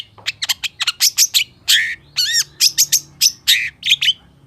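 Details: Energetic long-tailed shrike song in the full-fill style, a rapid string of sharp chirps, rasping notes and a few ringing upslurred whistles, delivered almost without pause for over four seconds against a quiet background.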